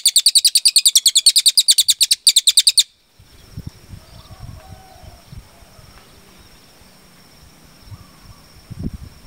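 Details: Cililin song for training cage birds: a fast, steady volley of sharp high chirps for nearly three seconds with one brief gap. It stops abruptly, followed by faint low rumbling background noise.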